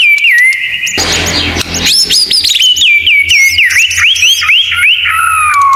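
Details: Murai batu masteran song full of 'tembakan' phrases: a clear whistle, then a harsh noisy burst, then a fast run of high sweeping whistles repeated about four times a second, ending in a long falling note.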